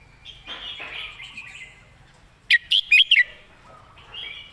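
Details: A Red-whiskered bulbul used as a teacher bird gives a clear-phrased song: one tight burst of four ringing, slurred whistles, framed by softer background warbles from other birds.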